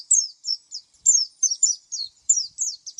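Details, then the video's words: Song of an oriental white-eye: a steady stream of thin, high, descending chirps delivered in rapid twos and threes with no background noise. "SUARA kicau pleci"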